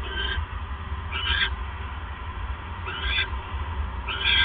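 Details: Four short, scratchy owl calls at irregular intervals over a constant low hum, late at night on 28 January 2015 while the male hands a mouse to his mate.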